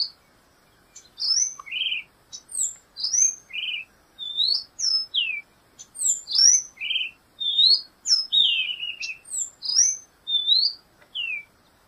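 A black-goggled tanager sings a quick, continuous run of high, sharp chirps and slurred whistled notes, steady throughout with little else heard.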